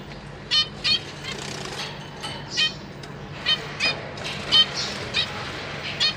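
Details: Captive zebra finches, a breeding pair with three juveniles and three newly fledged young, with the parents busy feeding the young: short nasal calls, about ten in six seconds, heard over a steady background hiss and low hum.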